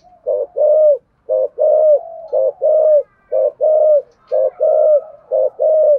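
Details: Rhythmic 'thổ sấm'-voice cooing of a spotted dove giving a full song with a two-part ending: five pairs of low coos, each a short note followed by a longer falling one, at a steady tempo of about one pair per second.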